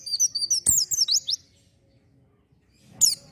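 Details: Oriental white-eye in full song, played to excite newly kept birds: a quick run of high piping notes leading into a rapid descending twitter, then silence and one sharp chirp.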